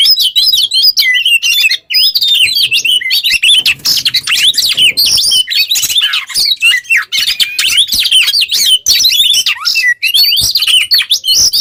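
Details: Oriental magpie-robin in vigorous song, recorded as training material for other songbirds; a packed, nonstop flow of sweet whistles, sharp chips and quick mimic-like phrases rising and falling.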